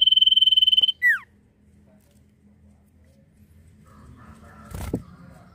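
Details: Common iora in Indonesia singing in the lively "nyiul" style: a steady rapid pulsed whistle held for about a second, then a quick downward-sliding slur, followed by quiet room hum and a brief knock.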